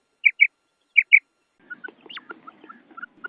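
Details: Female common quail recorded in a forest, the call used to attract male quail. Two pairs of short, soft double notes come close together, followed by scattered faint chirps and clicks from other small birds.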